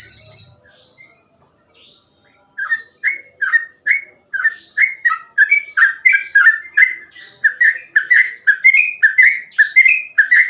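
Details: Sooty-headed bulbul in nonstop 'gacor ropel' song whose phrases are said to be easy to imitate: a brief harsh burst, a quiet gap, then a long fast run of bright whistled notes.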